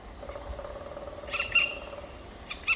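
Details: Two black woodpecker chicks in the nest, recorded on 23 May 2023 at 19:43. Short nasal calls come in two brief bursts late in the clip, above a steady low hum that runs through the first two seconds.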